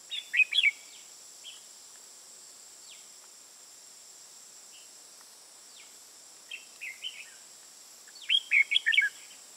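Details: Red-whiskered bulbul, a trapped Ché-type bird filmed on 21 June 2018 in Vietnam, gives short, lively warbled phrases of bright notes in three bursts over a steady high insect drone.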